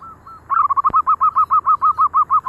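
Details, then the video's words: Local zebra dove in full active song among birds that join in: two faint opening coos, then a loud, fast series of about fifteen rounded, evenly spaced cooing notes, each with a slight upward lilt, plus one sharp click. "Perkutut Lokal Gacor ,,sekali bunyi yang lain ikut"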